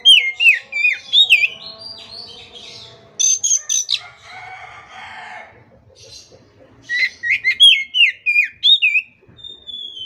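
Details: Vigorous 'gacor' song of an Oriental magpie-robin, meant to tutor kept birds that have stopped singing: loud looping whistled phrases, then a harsh scratchy rattle, a quiet gap, and another run of bright rising-and-falling whistles ending in a thin drawn-out note.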